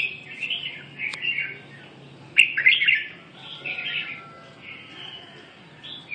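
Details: Red-whiskered bulbul singing short, bright warbled phrases with quick chirpy notes, with a louder burst in the middle and brief pauses between phrases.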